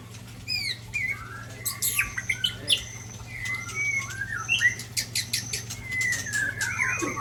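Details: White-rumped shama from Ujong Pancu giving rare 'isian' song fill: scattered clear whistles, slurred rising notes and sharp clicks separated by short pauses, with a faint flutter and a constant low hum behind.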